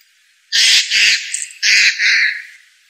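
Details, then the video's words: Blue jay (Cyanocitta cristata) calling loudly with four harsh, raspy jay notes given in two quick pairs, each note short and noisy. The background is quiet. "Blue Jay.Bird Song.(Cyanocitta cristata)."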